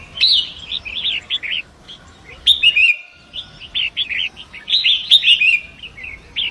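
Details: {'caption': 'Forest long-tailed shrike beside a fast-flowing river, recorded as a song tutor: bursts of rapid chattering notes and clicks, about twenty-three phrases a minute, separated by brief lulls.'}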